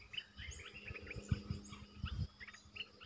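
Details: Red-eyed bulbul, a resident territory holder, calling: short chattering and whistled notes in quick bursts, with a few sweeping higher whistles. Heavy low rumbling noise runs underneath throughout.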